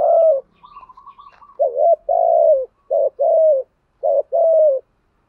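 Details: Spotted dove decoy cooing used to stir up wild doves: a string of short rapid notes, then several quickly repeated two-part coos, each a brief note followed by a longer falling one, with faint background sounds.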